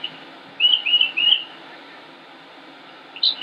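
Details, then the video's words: Northern mockingbird in Concord, North Carolina, United States, giving three slurred whistled notes in a row, then silence and a brief high note at the end. "Northern Mockingbird Just Sings and Sings and Sings"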